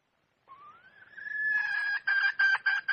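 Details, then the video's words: Wild red junglefowl hen: a smooth whistled note climbing steadily, then breaking into a few loud, ringing clucking pulses. "Suab poj qaib qus seev zoo heev"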